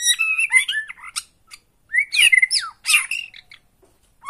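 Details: White-rumped shama song for provoking a caged bird to sing: loud harsh, scratchy phrases mixed with rising whistles and rasping bursts, separated by short silences.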